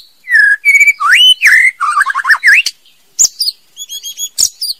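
A female white-rumped shama sings a quick, varied run of clear whistles, rising slurs and buzzy trills, then pauses before short high chirps.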